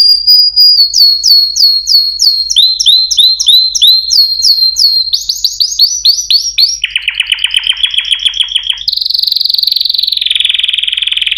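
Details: Singing canaries deliver a run of repeated descending whistled notes at a quick even pace, followed by a lower rattling series and a final fast rolling trill.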